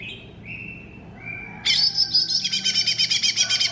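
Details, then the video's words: Masteran song of a cucak ijo mini (green leafbird): a few quiet rising whistles, then a loud, continuous stream of rapid, pulsing, metallic trills and chatter that carries to the end. "MASTERAN CUCAK IJO MINI"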